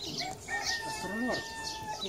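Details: Docile Japanese Bantam rooster sounds a long, even, tonal note held across two seconds, with brief rough squawky sounds layered in and faint background noise.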